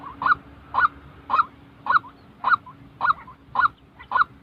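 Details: A white-breasted waterhen, recorded to train decoys for trapping, repeats a harsh honking note at an even two-per-second pace, with a soft hum behind it.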